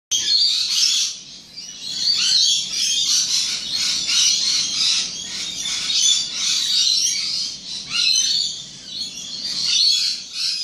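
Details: A flock of rainbow lorikeets on the Gold Coast, Australia, keeps up a dense, shrill chatter of overlapping screeches and squeaky chirps without pause.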